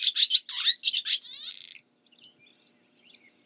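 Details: Barn swallow chattering notes leading into a dry buzzing rattle, then three soft faint twitters after a pause.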